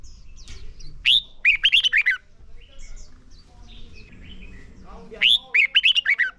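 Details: Red-whiskered bulbul singing as a lure bird for training caged birds in competitive song: two loud bursts of about six quick, slurred, warbling whistles a few seconds apart, with fainter chirps and a low hum between them.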